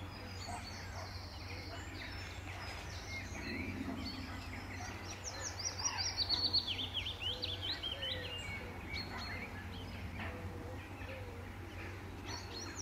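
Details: Male willow warbler returning to sing from the same treetop branches near a farm pond in Letchworth, June 2014; one descending trill of soft whistles mid-way, amid a busy chorus of other birds and steady low hum.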